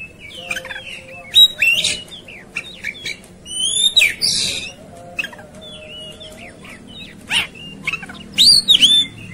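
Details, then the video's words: Agitated, fighting Oriental magpie-robin pouring out quick varied phrases of sharp whistles, upslurred and downslurred notes and scratchy clicks, broken by harsh buzzy bursts, about four elements a second, with a faint steady hum beneath. "Segala Kacer Ikut Ngamuk Tarung"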